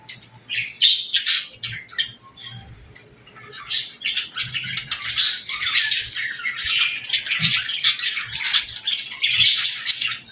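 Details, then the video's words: Baby budgies mixed with lovebirds at feeding time, feeding and interacting: dense, overlapping scratchy chirps and squawks in rapid bursts throughout, with brief quieter gaps around two and six seconds. "Love Birds & Budgies Feeding Time Sounds"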